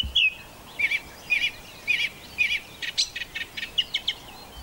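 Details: Song thrush in song at Castlemorton Common near Malvern in May 2021: one fluty phrase repeated four times at even intervals, followed by a run of quicker, scratchier notes against faint background hiss.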